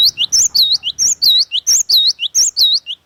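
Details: Cinereous tit (gelatik batu) in full, lively song, used as a lure and for tutoring other birds: loud whistled two- and three-note phrases, high swooping notes alternating with lower slurs, repeated rapidly about every quarter second.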